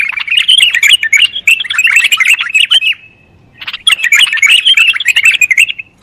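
A bulbul pours out a fast, chattering warble of bright, jumbled notes in two bursts about three seconds long, separated by a short pause.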